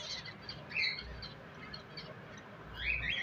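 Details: Pet finches give scattered thin chirps and a couple of squawky, slurred notes, the last burst rising sharply, over soft background hiss.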